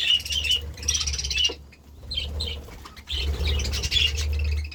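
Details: Budgerigars eagerly eating vegetables give bright, whistled chirps and warbling chatter in two bursts separated by a brief lull, over a low fluttering rumble.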